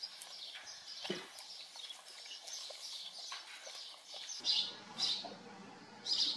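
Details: House sparrows living at a farm chatter in a busy flock, with loud, harsh chirps roughly once a second near the end over a low background rumble.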